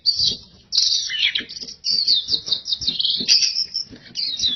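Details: High twittering gacor song of a pleci, or oriental white-eye: energetic warbled phrases broken by short pauses, with a few notes dipping lower before the fast, thin chatter climbs back up.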